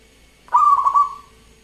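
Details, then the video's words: Local zebra dove (perkutut lokal) singing actively, its voice described as crystal-clear: one mellow cooing phrase opening with a few quick stuttered pulses, then settling into a long level note that fades away. "Perkutut Lokal Gacor Suara Kristal"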